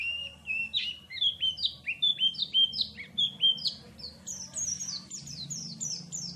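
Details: Oriental white-eye delivering canary-like song, a lively chain of short downward-slurred whistled notes repeated several times a second, climbing higher toward the end, with a low hum beneath.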